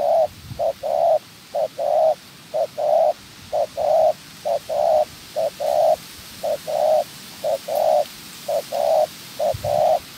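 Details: Trap decoy spotted dove being trained, cooing continuously in repeated pairs of a short note and a longer note, about one pair per second for ten seconds, with light rustling underneath.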